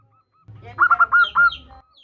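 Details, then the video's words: A local female zebra dove calls for a male: one quick burst of five clipped, bouncing cooing notes, preceded and followed by faint soft notes. "Perkutut Betina memanggil jantan Suara MENGGODA"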